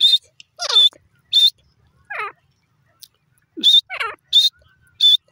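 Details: Grey francolin, known locally as desi teetar, calling at length: high, pure whistled notes repeated about once a second alternate with wavering, downward-slurring squeals, separated by brief silences.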